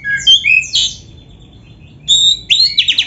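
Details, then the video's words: An oriental magpie-robin singing with canary imitations: a few quick whistled swoops, a quiet gap, then sharp whistles and a short rapid trill. "SUARA BURUNG KACER GACOR CANARY - MASTERAN KACER GACOR FULL ISIAN KENARI"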